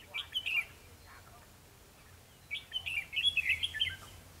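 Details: Red-whiskered bulbul fighting song, lure-bird trapping, 21 December 2015: a lively warbled phrase opens, then after a pause a longer, rapid stream of sweet, rolling whistled notes.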